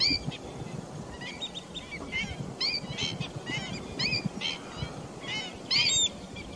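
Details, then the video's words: Recorded 28 July 2021, pheasant-tailed jacanas give steady rows of nasal, cat-like mewing calls with rich overtones, one louder shrill note near the end, amid steady low background noise. "水雉菱角鳥 Pheasant tailed Jacana レンカク"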